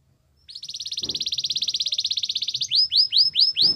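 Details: Belgian canary singing: a long, steady trill of rapid, even high notes, then a run of quick rising, whistled upsweeps, with faint low knocks in the background.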